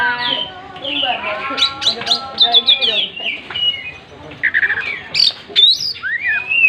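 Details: Oriental magpie-robin singing in the gacor style while spreading its tail: a rich, varied run of whistles, rising and falling slurs and sharp chipping notes, with a low background hum.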